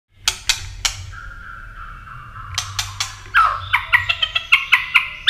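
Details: White-rumped shama in contest-style singing with tail-flicking and snapping, used to stir other birds into competitive song: sharp clicks open, then a long steady whistle, then a fast run of varied ringing notes.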